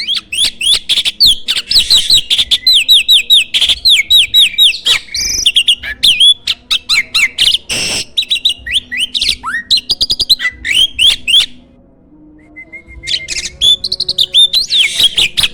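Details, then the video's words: Loud, forceful song of a champion contest starling used as a master recording for tutoring other birds: long sustained runs of fast, repeated chattering and squeaky notes, a brief quiet gap, then a soft whistle before the chatter returns. "MASTERAN BURUNG JALAK SANG JUARA!!"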